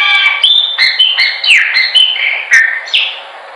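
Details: Chopi blackbird song offered as a training recording: a loud, continuous run of clear whistled and slurred notes, some rising and some falling, with brief sharp clicks between phrases and no other sounds.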